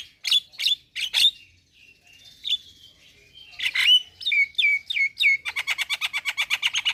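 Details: Javan myna (jalak kebo) in gacor song: scratchy chirps and a thin whistle, then a series of descending squeaky whistles, ending in a rapid, even rattle of buzzy notes about four per second.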